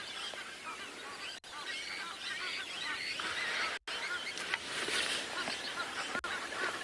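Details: Egyptian geese at Chitwa dam on a morning in December 2021, chattering as the wind drops and the sun warms things up, give harsh, nasal honks and cackles, about two a second, over a dense chorus of birds including woodland kingfishers.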